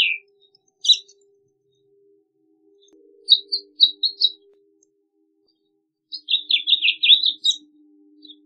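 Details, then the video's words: House Finch singing in fragments: a couple of single notes, a short group of three chirps, then a rapid warbled phrase, over a steady low hum. "House Finch Song! House Finch Call! House Finch Sound! -Pinzón Mexicano Canto-"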